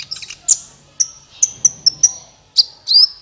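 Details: Sunbird trapping lure: well-spaced high piercing tsit notes with thin trailing whistles, ending in a longer rising whistled note, faint low hum in the background.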